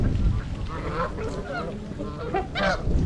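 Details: Winter flock of 42 trumpeter swans, adults and juveniles, at Gallup Park in Ann Arbor, Michigan, January 8, 2022, GoPro recording: several bugling, trumpet-like honks, some overlapping, the loudest near the end, with low background rumble.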